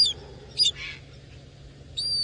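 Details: Nocturnal thick-knees on a dam wall in the Sabi Sand, South Africa, at sunset on 14 April 2018 give high, thin whistled contact calls: brief notes, a soft buzzy burst, then a longer sustained whistle.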